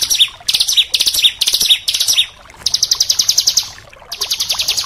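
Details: Oriental magpie-robin training song in a fast, tight, harsh shooting style: clipped high phrases with whistled endings, then a rapid rattling run of sharp notes after a short pause.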